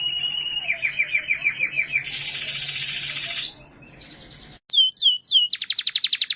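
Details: Australian canary song: a rhythmic pulsed trill, then a higher buzzy rolling tour that rises, a brief break, then loud downward-slurred whistles followed by a rapid, even trill.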